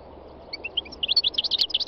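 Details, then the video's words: Wild European goldfinch song starting with a few thin separate whistled notes that build into a quick, dense, sparkling twitter of high chirps, with a constant low hum underneath. "chant chardonneret sauvage khalwi goldfinch تغريد مقنين خلوي"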